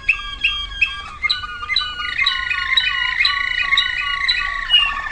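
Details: Waterslager canary song from 2009: bouncy repeated notes shifting into a long, low rolling trill with a bubbling quality.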